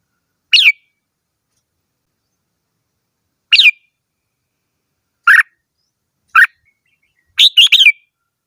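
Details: Red-whiskered bulbul singing: short bright whistled notes at wide intervals, then a quick run of three chirpy notes near the end, against a silent background.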